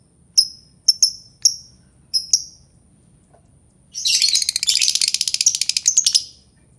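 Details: Albino lovebird giving five clipped, high chirps, some paired, followed by a two-second stretch of fast, pulsing, shrill chatter.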